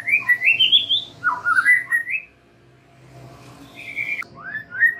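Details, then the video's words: Lure song of a white-rumped shama for young and wild-caught birds: a string of upward-sweeping whistles and lower warbled notes, a brief quiet gap, then a few further clear slurred whistles. "Pancingan MURAI BATU BAKALAN dan MUDA HUTAN agar NGEPLONG"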